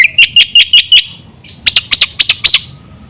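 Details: Black-winged myna song intended to lure other mynas into singing: five quick piercing chirps, a short pause, then four loud arched whistled notes in even succession.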